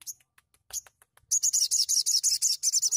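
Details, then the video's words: Sogon singing energetically, recorded to spur untrained sogon birds into song: a few scattered high ticks, then a fast, steady stream of shrill chattering notes lasting well over a second. "TEMBAKAN SOGON GACOR Sangat cepat merangsang bunyi sogon bahan"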